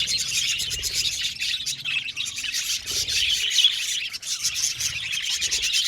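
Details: Colony of budgerigars in an aviary, chirping happily: a dense, continuous chorus of overlapping high warbled chirps and chatter from many birds, steady throughout.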